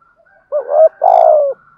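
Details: Spotted dove used as a decoy to provoke other doves, a loud clear phrase: short curved first note, then a drawn-out falling coo, a faint high chirp briefly overlapping.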